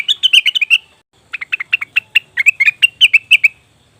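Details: Cucak wilis or rengganis leafbird used as a lure recording: quick burst of sharp, slightly descending chirps, a second of silence, then a longer run of evenly spaced clear chirps that stops abruptly.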